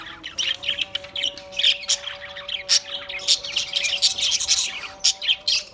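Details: Busy high-pitched chirping and squeaky chatter from Australian parrots, rapid and continuous, over a long steady hum-like tone.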